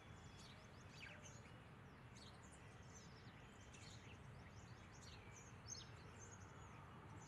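A flock of mynas chatters in overlapping squeaks, whistles and short chirps throughout. The birds are distant, under a steady low rumble.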